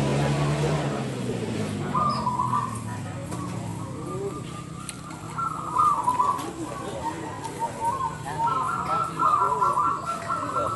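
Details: Zebra dove of local wild stock singing at a bird-singing competition, loud-voiced and in full song: repeated mid-pitched rolling coos in phrases about a second long, over a steady crowd murmur with voices and low rumble.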